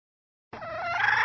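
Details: Red junglefowl hen, recorded as a lure for wild junglefowl: after silence, a single drawn-out, nasal, gradually rising squawk that is still going when the recording ends.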